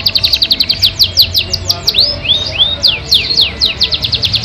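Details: Yorkshire canary in long, richly filled song: quick series of high downward-sweeping notes, several looping upslurred whistles in the middle, then renewed fast trilled phrases, loud and clear against a quiet background.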